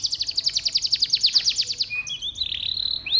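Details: Canary singing to stir young, lazy canaries into song: a fast rolling trill of about fifteen high falling notes in under two seconds, then a thin sustained whistle with small flicks.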